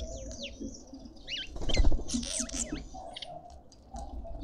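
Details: At a Pretoria suburban garden feeder in South Africa, feeding red-winged starlings utter quick rising-and-falling whistled notes in a burst, with a brief pattering, scuffling noise in the middle and other birds chirping faintly.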